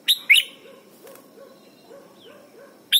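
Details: Red-whiskered bulbul from Thailand, recorded for teaching young birds to sing: two sharp, bright chirps in quick succession open the clip, followed by a near-silent stretch with faint low hum, then one more chirp at the very end.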